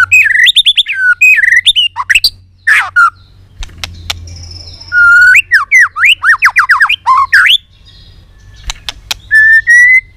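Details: White-rumped shama in excited, many-voiced singing with tail flicking: rich whistled phrases, quick downslurred notes in clusters and harsh clicks, ending with a slow rising whistle.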